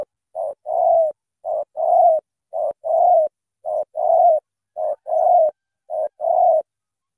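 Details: Cà Mau spotted dove giving its thổ tơ call. Six steady phrases, each a clipped note followed by a longer, deep, smooth coo, spaced about 1.1 seconds apart in an even rhythm, in a quiet setting.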